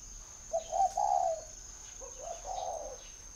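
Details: Spotted dove, a caged bird kept in a dove garden near Ba Vì, Hanoi, northern Vietnam, gives two soft, low, hollow coo phrases about a second apart, each with a short lead note and a longer wavering coo, over a faint steady high whine.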